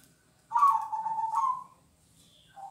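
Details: Zebra dove of local type giving a kong-style song phrase: a warbling, trilled coo of about a second, starting slightly higher and easing down, followed by a brief faint note near the end.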